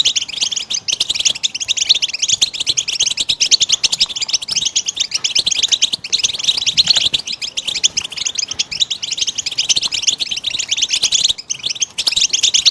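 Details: Goldfinch song played as a tape for teaching chicks and songbirds: a dense, unbroken stream of rapid high twittering and chirping notes, bright and busy throughout with no pauses.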